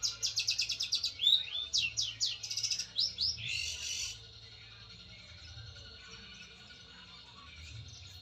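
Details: Long-tailed shrike, a district and national songbird-contest winner, giving a burst of quick chattering and whistled notes with a harsh buzzy ending at about four seconds, followed by near quiet with a faint steady high tone.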